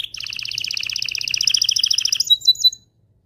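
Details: Powerful canary song to excite a female and spur a male toward mating: a rapid doubled trill gradually rising in loudness, ending with three sharp high notes, then silence.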